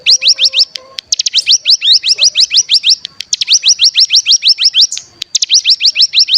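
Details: Bar-winged prinia (cigun) bren-style lure song meant to stimulate other birds to sing: long, rapid rattling runs of high downward-slurred notes, about three per second, broken by short pauses.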